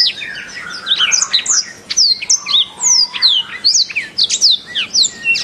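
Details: Canary song used as master training audio for songbirds: quick high whistles sliding steeply downward, repeated in rapid succession between sharp clipped chirps, forming a lively, almost unbroken phrase.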